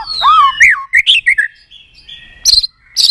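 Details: Shama singing to stimulate other shamas: a falling whistled glide, short bubbling notes, a soft steady tone and sharp high bursts.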